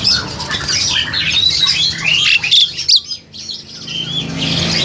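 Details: Young captive crested myna, aged seven to eight months, from Indonesian breeding stock, recorded by old Samsung phone; busy high chirping and sharp whistled squeaks, pausing briefly near the end before resuming.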